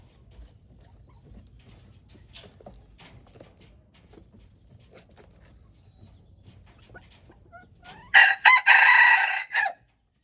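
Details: February 13, 2025 recording of a red junglefowl: soft scattered clicks and low hum for several seconds, then a sudden loud raspy crow in three to four joined parts lasting about one and a half seconds.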